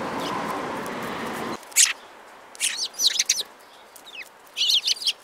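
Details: After a stretch of broad noise ends, sparrows break into crisp, buzzy chirps, delivered in short rapid clusters with brief pauses between them.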